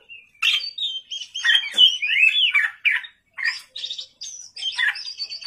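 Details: Oriental magpie-robin singing hard at night, delivering rapid, varied whistled phrases with slurred, buzzy notes, separated by brief gaps.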